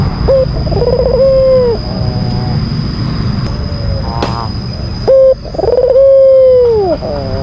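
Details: White (albino) Barbary dove cooing as a lure sound meant to provoke a rival bird: a short low note, then a long steady mid-pitched coo with a wavering start. The pattern comes twice, with faint chirps and background hum between.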